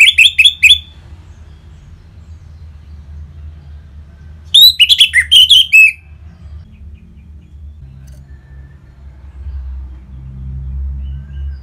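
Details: Orange-headed thrush singing ngeplong-style, played to prompt caged birds to answer and sing: short bursts of quick, high, slurred chirps, one at the start and one midway, over a faint low hum.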